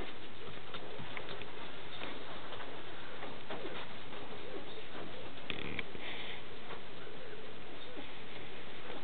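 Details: Male spruce grouse displaying in Canada: very deep, muffled hoots and low thrums, repeated irregularly, with faint rustling and hiss around them.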